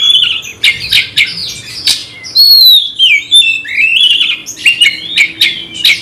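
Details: Fired up to fight an opponent, a caged Oriental magpie-robin delivers a loud medley of rough rasping notes and long, clear whistles that climb and fall.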